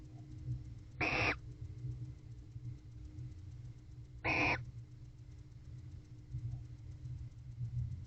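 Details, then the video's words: Bonded barn owl pair mating in a nest box, 21 October 2023 at 8:25 pm, during courtship: two harsh, hissing screeches, each about a third of a second, roughly three seconds apart, over a low steady hum. "Bonded Barn Owl Couple Mating, Unusual Vocalizations."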